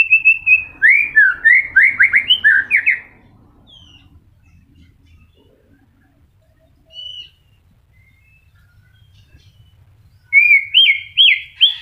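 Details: White-rumped shama in moult, just beginning to regrow feathers, still singing: rich whistled phrases sliding up and down in quick succession for three seconds, a near-silent pause with one short note, then a fresh burst of rising whistles.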